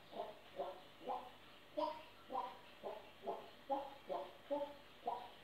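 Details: A pet African grey parrot, happy and dancing, sings a voice-like, mid-pitched tune of about eleven short syllables, roughly two each second, in a quiet room.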